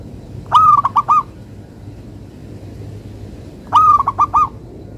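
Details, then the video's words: Melodious song of a local zebra dove: two identical phrases about three seconds apart, each a smooth leading coo followed by three rapid staccato notes, clean and mellow with little background noise. "Perkutut Lokal irama merdu, suaranya bikin adem ayem"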